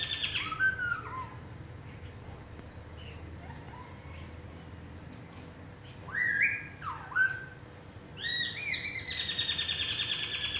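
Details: Black-throated laughingthrush, large in build, in forest-voice style: long quiet pauses with faint notes, then loud downslurred whistles and a closing run of strong harmonic-rich whistled phrases.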